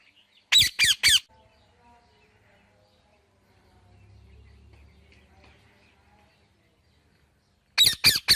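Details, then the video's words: Parrot calling in two bursts of three harsh, rasping squawks, with a long quiet stretch between them and a faint low hum in the background. "Talking Parrot Natural Sounds"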